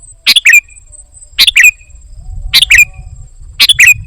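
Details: Golden-fronted leafbird in lively song with filler phrases, giving four double-note bursts about every 1.1 seconds: a scratchy chip then a quick descending whistled slur, over a faint continuous high whine.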